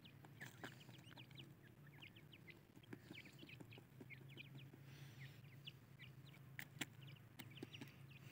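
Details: A group of female Iranian (Irani dakhni) francolins, with chicks, keeps up a busy chatter of short, high chirps and cheeps, several birds calling over one another above a steady low hum.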